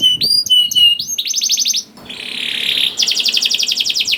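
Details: Canary, a young bird (kenari paud), sings to stimulate other canaries: clear whistled slurred notes, then a quick repeated trill, a buzzy rasping passage and another fast rolling trill.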